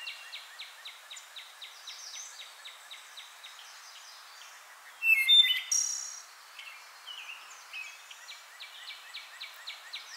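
One loud, fluty wood thrush phrase ending in a complex trill rings out midway, over a steady background of faint, rapid high chips from other birds.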